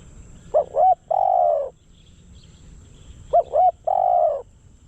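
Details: Spotted dove decoy bird, used to lure wild doves, giving two cooing phrases: each opens with quick short hooked notes, then one long, drawn-out, slightly falling coo. A pause of about two seconds separates the phrases, over a quiet background.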